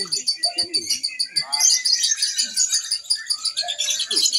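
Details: Caged lovebird at a single-fighter practice contest in Mahadewa. Rhythmic, high, chattering chirps pulse steadily, thickening into a denser burst of shrill notes, with a few low clicks.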